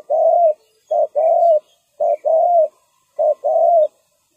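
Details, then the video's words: Decoy spotted dove calling at ground level to attract wild birds into a trap. Three clear coo phrases follow one another, each a short note then a longer, rolling note, in a quiet setting. "chim cu mồi gáy gọi bổi"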